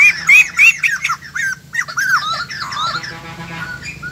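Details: Caged white-crested laughingthrush, newly brought in from the wild, producing a fast, loud tumble of harsh rising and falling squawks that fade toward the end.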